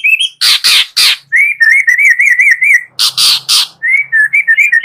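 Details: White-rumped shama song used as a morning lure to get other shamas singing, full of harsh 'kretek' bursts. Two loud raspy broadband blasts interrupt a quick series of repeated whistled notes, then more raspy bursts and wavering whistles.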